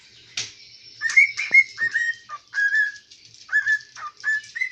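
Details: Pet cockatiel, thought by its owners to be male because it talks, singing indoors in a kitchen: a run of short, clear whistled notes, many slurring upward, given in quick bursts about every half second after an opening sharp click.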